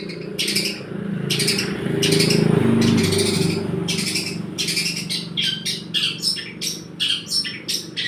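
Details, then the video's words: Long-tailed shrike singing a song filled with imitated 'church' material: harsh, buzzy bursts and squawks in quick uneven clusters, louder and denser through the middle, over a steady low hum. "Cendet Gentayu isian Gereja"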